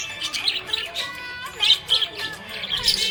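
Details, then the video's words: A happy budgie chirps in scattered bright bursts. Sharp high tweets stand out against softer warbling, and a sustained musical tone plays underneath. "Happy budgie chirping sound"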